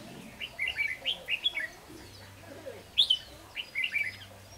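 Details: Red-whiskered bulbul kept as a trapping decoy, delivering a run of quick warbling whistled notes, a pause, then another lively bubbling phrase.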